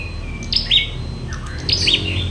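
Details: Prinia being trained for fighting contests: sharp, high chirps and short buzzy notes in two clusters about a second apart, over a steady low hum of background noise.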